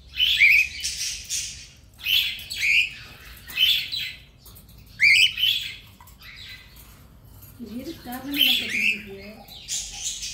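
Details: Cockatiels playing, meant as company for a solitary bird: repeated short upslurred chirps in bursts about every one and a half seconds, with a low human voice briefly audible partway through.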